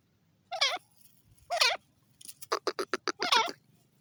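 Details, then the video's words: Francolin with two harsh, quavering squawks, then a quick burst of five clipped notes, ending in another rasping wavering call. "The pheasant birds speaking,teeter ki awaz"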